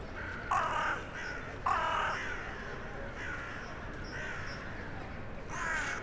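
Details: On a January evening a crow that lives in the town centre calls to others arriving for the night, giving two loud rasping caws then softer answering caws, with a city hum behind.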